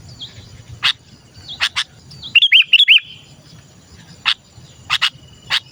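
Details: Calling sooty-headed bulbul, a recording meant to lure other bulbuls, gives one rapid run of four bright, looping chirps midway, among sharp dry clicks scattered before and after and a steady low hum.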